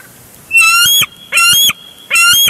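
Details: At a Big Bear Lake nest on 23 June 2022, bald eagles struggle over a large fish brought in. Three loud, buzzy, harmonic chattering calls, each lasting about half a second, repeat in quick succession over a faint steady background tone.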